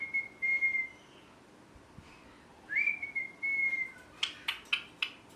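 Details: Pet rose-ringed parakeet whistles long, steady, clear notes, pauses, repeats a sliding whistle, then ends with a quick series of sharp chirps.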